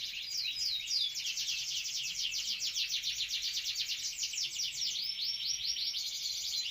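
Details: Canary singing: a fast, continuous high-pitched trilling warble with rapid rolling phrases and occasional thin whistled slides, over a low background hum.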